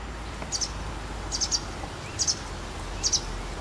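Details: Shortly before dusk on 12 April 2017, a white wagtail repeats high, clipped two- and three-note chirps roughly every 0.8 seconds, four bursts, over a low rumbling background.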